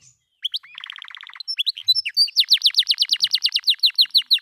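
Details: Domestic canary tutor song used to teach pet birds: after a few rising chips comes a fast, even rattle of short notes, then a long, loud trill of bright repeated whistled notes, about four per second.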